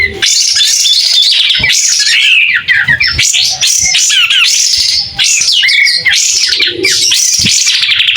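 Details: A White-rumped shama opening its tail while singing clearly and continuously, with bright whistled notes, steep up-and-down slurs and fast rattling trills packed closely together.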